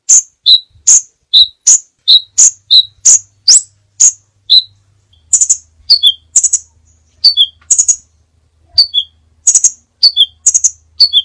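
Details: Crimson sunbird, sepah raja, in a many-variation training recording: sharp high chips alternating with descending two-note tsip phrases, rapid and evenly spaced, then slightly buzzier doubled notes in the second half; no other sounds.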